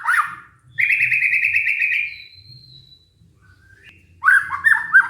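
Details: White-rumped shama lure song, played to coax stressed shamas that stopped singing back into song: a short rising-falling whistle, then a long rapid trill of buzzy notes, a thin high whistle, and a final burst of varied whistled phrases.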